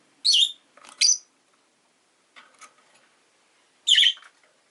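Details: Pet rosy-faced lovebirds, five kept in a cage by a window, calling in winter: loud, harsh, high chirps in short bursts, a pair near the start and another burst near the end, with quieter chirps between.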